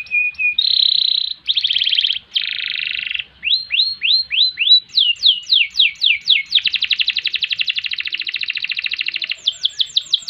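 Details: Canary singing long phrases in ngerek, ngerol and nembak styles: buzzy rolled trills, upward whistled sweeps, fast downward-slurred notes, then an extended rapid rattling roll before a final series of falling notes.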